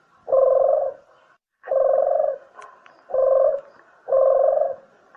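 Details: Dove used as a lure for shooting or trapping birds, giving four deep, hollow coos, each roughly half a second long and spaced about one second apart, in a quiet setting.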